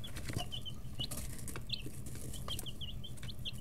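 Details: Several 11- to 13-day-old chicks in a brooder call in quick high peeps, often in pairs, with wing flutters and rustling near the start over a low hum.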